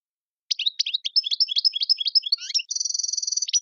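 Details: European goldfinch in tiwawati-style song from Tizi Ouzou, Algeria: quick high twittering phrases, a brief lower dip, then a fast even buzzing trill of repeated notes lasting about a second, clean and quiet background.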